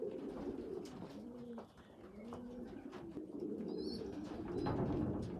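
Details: Poorly developed young pigeon feeding bigger youngsters; low coos rising and falling in short arcs, a quiet pause near two seconds, then a thin high squeal and louder cooing.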